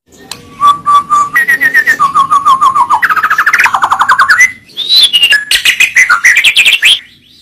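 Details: White-rumped shama song used as a tutoring recording for training birds: loud, rapid runs of repeated notes held at steady pitches, stepping upward in stages, then breaking into high, swooping whistled phrases before a brief quiet end.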